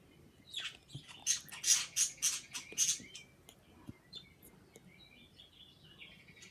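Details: Pet birds making kissing sounds and chirping: a run of about eight sharp, hissy smacking bursts roughly every quarter second, then quieter high thin chirps trailing off over a low background rumble.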